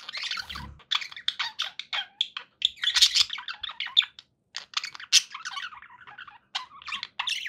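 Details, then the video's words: Pet budgerigars chatter nearly nonstop, a jumble of high warbles, squeaks and rasping notes with a single short break near the middle. "budgie sounds"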